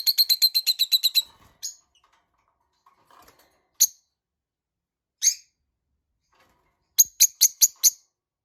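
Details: Tame lovebirds chirping indoors: a rapid run of about ten sharp, high chirps, then scattered single chirps, and a closing quick burst of five bright notes, with quiet pauses between.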